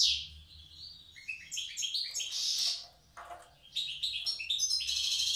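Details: European goldfinch, a wild Tiaret singer using the old style: a high opening note, then lively buzzy twittering phrases broken by a short pause before more ringing trills.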